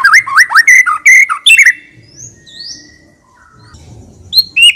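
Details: White-rumped shama with rich, unbroken song used to prompt other birds: a rapid burst of loud rising and falling whistles, then soft high slurred notes and quiet pauses before resuming.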